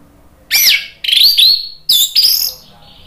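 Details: Orange-headed thrush singing in the ngeplong style as a lure for other birds to answer. Four loud, sweeping whistled phrases with rich overtones, each under half a second, in two pairs.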